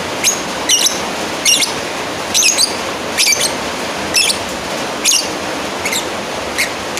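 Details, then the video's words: A lovebird calling a rival delivers about ten sharp, high-pitched squawks in seven seconds, some coming in quick pairs, others thin and brief, over continuous hiss. "Suara Asli burung lovebird Manggil lawan"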